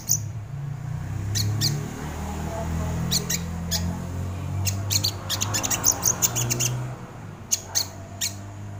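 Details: Sogon bird song for luring and tutoring caged birds: clusters of harsh clicking notes fired in quick series, a dense burst near the middle, faint low rumble underneath.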